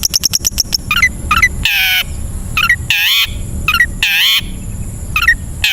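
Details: Long-tailed shrike training song for caged birds: rapid clicks, then short hooked notes alternating with loud harsh grating calls about once a second, with a thin constant high tone behind.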